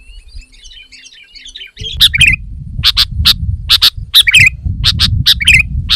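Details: After faint distant twittering, a sooty-headed bulbul, described as female, starts loud sharp clicking chips, often paired, with occasional squeaky twisted notes, over a steady low rumble.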